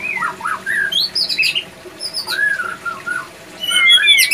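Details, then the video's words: White-rumped shama male in breeding condition at a breeding facility, giving clear slurred whistles that rise and fall, mixed with higher sharp notes and a rising squeaky ending. "Ciri - Ciri Burung Murai Batu Jantan Birahi"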